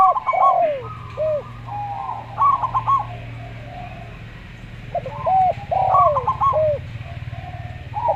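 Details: Local zebra dove singing slowly alongside a Javan derkuku. Staccato note clusters alternate with arched coos over a steady low hum in the background.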